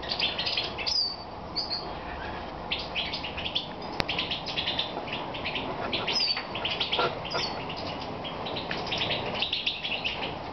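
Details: Moulting European goldfinch in Romania, evening of 22 May 2014; long bouts of fast twittering chirps broken by brief pauses and a few slurred whistles, with a single sharp click and steady hiss.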